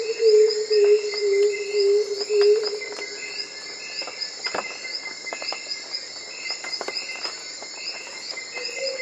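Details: A wild Black-throated Coucal, a shy bird that skulks in the undergrowth of the bush, gives a run of deep, hollow hoots about two per second, falls quiet, then gives one more hoot, over steady high insect trilling.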